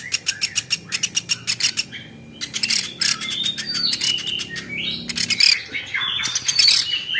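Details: Woodpecker, a championship-grade bird, in a training recording: a rapid series of sharp, high clicking notes, then busy high chirps and twitters with short squeaky notes.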